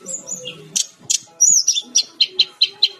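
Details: Brown-chested jungle flycatcher singing actively: short high chirps and buzzy notes, then a steady run of five sharp, evenly spaced chips near the end. Faint low noise sits beneath the opening notes.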